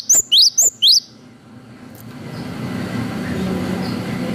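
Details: Four quick high whistles from a cinereous tit in lively 'wucit' song, played as a lure to provoke a reply: sharp, rising notes in rapid succession, then a hum and rushing background noise.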